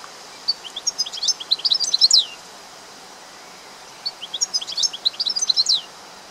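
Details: European goldfinch song in two twittering bursts roughly two seconds apart, each a fast jumble of high tinkling notes ending in a sharp descending slur, against soft steady background noise.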